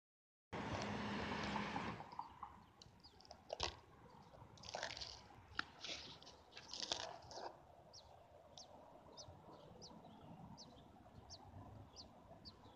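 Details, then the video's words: American robin nestlings in a lilac-bush nest in a backyard in May 2016, with the mother away, beg with thin high peeps in scratchy bursts, then faint ticks about twice a second; rough wind or handling noise opens. "Baby robins"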